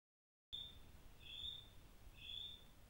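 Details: A Little spotted kiwi on Motuihe Island calls its mate with thin, high whistles, three in a row at a steady pace, each slightly rising, over a faint low background rumble.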